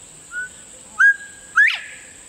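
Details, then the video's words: Northern Bobwhite in Texas gives its clear whistled 'bob-WHITE', saying its own name: a soft lead note, a level whistle, then a loud, sharply rising final note, over a steady high hiss; the whistle carries across open fields almost a quarter mile. "This quail doesn't just sing, it literally says its own name."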